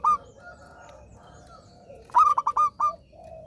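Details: Zebra dove, a vigorous, frequently singing bird, heard in a cooing burst: a quick run of five or six short, clear, rolling notes near the end, after faint drawn-out tones in the background.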